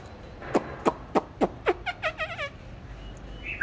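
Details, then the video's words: Kept songbird, bought 19 May 2020, fed steadily on bran and said to sing anywhere at any hour: a run of sharp descending clicks speeding up, then a quick series of bright, buzzy, curling notes. "cám ổn định hót mọi địa hình ,mọi giờ giấc"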